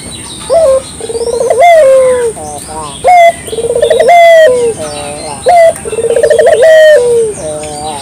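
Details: Clear spotted dove call meant as a lure: three phrases, each a sharp rising note, a pulsed rolling coo and a drawn-out sliding coo, roughly every two and a half seconds, with thin chirps of other birds behind.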